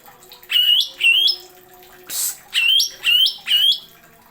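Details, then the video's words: Greater green leafbird (cucak ijo) giving masteran-type phrases: five sharp, rising, slightly squeaky notes spaced about half a second apart, with one harsh hissing burst between them. "MASTERAN.CUCAK IJO NEMBAK ISIAN TAJAM."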